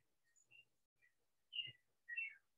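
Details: A clay-colored thrush sings softly in the background at Pierella Ecological Garden, Horquetas de Sarapiqui, Costa Rica, during its April–August singing season: a few clear, mellow whistled notes and slurred phrases, with one faint low thump.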